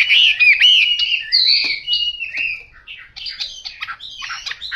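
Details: Chinese hwamei, yellow-billed and yellow-legged, opening with loud rich whistled phrases that slur up and down, then trailing into quieter, scratchy chattering notes.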